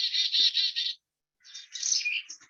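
Black-capped Chickadee giving its chick-a-dee call: a string of harsh, buzzy dee notes, a short pause, then another burst of raspy dee notes.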